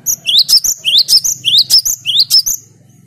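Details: Cinereous tit (gelatik batu) repeating bright, upward-sweeping whistled notes roughly twice per second over a low background hum. The clear 'gacor' song is meant to stir up rival birds.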